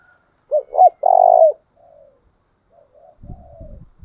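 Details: Trained decoy spotted dove in low 'tieng chim' cooing: two quick hooked notes and a long vibrating coo, followed by soft murmured notes and some low knocking sounds.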